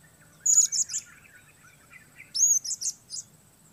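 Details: A Sook-strain blue-crowned hanging parrot performing alone in rough weather as a lure bird gives two bursts of piercing, very high, sizzling chirps, each a quick cluster of three or four notes, with faint lower chirps behind.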